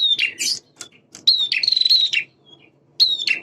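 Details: Male prinia singing energetically in a blend of prenjak semi and prenjak klawu styles. Fast chirps and a long buzzing trill are heard over a soft low background murmur.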